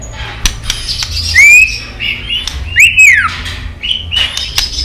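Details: Female white-rumped shama 'tạch líu' voice for arousing male aggression: soft clicks, a rising then falling arched whistle, and a second louder arched note with clicks.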